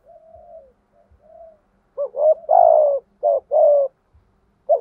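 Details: A decoy spotted dove in thúc gù calling, meant to provoke rival doves. Soft distant coos open the clip, then a loud run of low hollow notes with one long falling coo in the middle.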